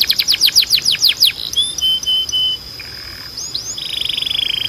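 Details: Canary song for training: a quick series of falling sweeps, then thin whistled notes and upslurs, finishing with a fast buzzy trill.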